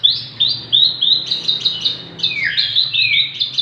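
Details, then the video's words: Energetic song from a six-month-old Javan bush lark meant for tutoring or provoking other birds: quick high chirps sliding downward, then a lower descending sweep and more rapid notes, delivered in a lively, irregular stream. "burung branjangan javanica usia 6 bulan gacor cocok untuk masteran atau pancingan"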